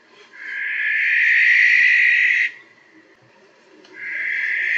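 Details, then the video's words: A barn owl, a UK bird that hunts over open habitat at dusk and dawn, gives a long harsh hissing shriek of about two seconds, then after a brief pause starts a second rasping screech. "Barn owls have a range of shrieks and hisses."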